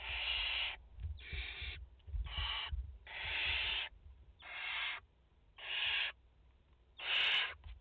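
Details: Barn owl nest in France, 30 August 2021: a mother with four chicks. Seven rasping, hiss-like screeches follow one another roughly once a second, alternating louder and softer, with faint low background noise.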